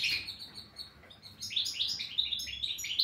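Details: Brisk twittering song of a European goldfinch, a rapid string of high, liquid chirps and short slurred sweeps running almost without pause.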